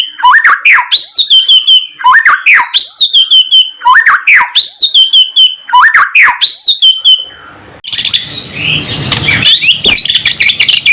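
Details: White-rumped shama song for tutoring other birds: the same whistled phrase of quick chips and a rising slurred note repeated about every two seconds, ending in a noisy harsh burst.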